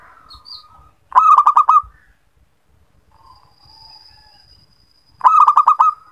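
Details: Local zebra dove song used as a lure to prompt doves that seldom sing: two loud phrases of five or six rapid, stuttering cooing notes, each under a second, about four seconds apart, with faint thin tones between.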